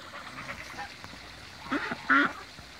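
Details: Toulouse geese, mature and young, swimming in a backyard; after faint background chatter, two loud nasal honks close together.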